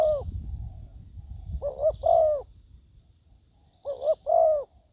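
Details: Spotted dove used as a decoy on the ground to lure wild doves, in Thailand; a low, hollow two-part coo, a short note and then a longer drawn-out one, repeated roughly every two seconds, with faint low rumble beneath.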